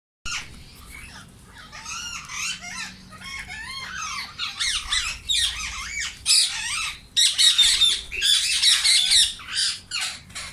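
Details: Several Indian ringneck parakeets in a free-flying aviary screech together: harsh, rasping squawks and shrill chattering, overlapping in quick bursts that grow louder and denser toward the end.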